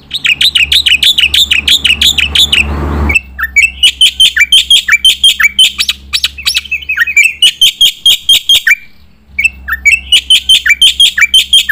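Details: Competition-training song of a black-winged myna in full voice: dense, loud, rapid strings of harsh chirping notes with brief gaps, over a faint low hum.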